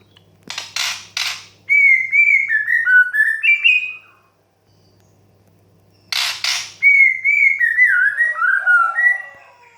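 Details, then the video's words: White-rumped shama song in the 'desahan menggoda' style, used as therapy to stir young, stressed or untrained birds to sing. Two phrases, each opening with sharp broadband bursts and then clear warbled whistles that dip and rise, separated by silence. "TERAPI MURAI BATU MUDA, STRES, DAN BAKALAN AGAR CEPAT GACOR DOR DENGAN KICAU DESAHAN MENGGODA"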